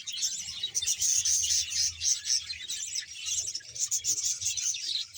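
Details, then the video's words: Rapid rasping chirps and warbles from a colony of about 100 budgerigar pairs in Bahawalpur, several notes a second in an uneven stream over a low hum. "budges sound"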